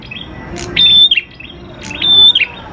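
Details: Prinia (prenjak klawu) song for luring prinias: two sustained high whistles, each dropping in a quick slur, with soft chip notes before them.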